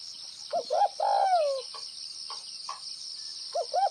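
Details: Gáy gù (bo) cooing of a Northwestern spotted dove: two quick rising coos run straight into a long, loud, sagging note, softer faint notes, then two more short coos; constant shrill insect hum behind.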